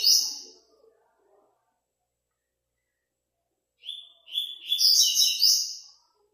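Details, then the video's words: In an online singing tournament's fifth stage, a Double-collared seedeater ends one phrase, falls silent for about three seconds, then delivers a loud, fast, rich phrase of clear whistles and trilled twitters. "5º ETAPA TORNEIO VÍDEO WEB COLEIRO ON-LINE"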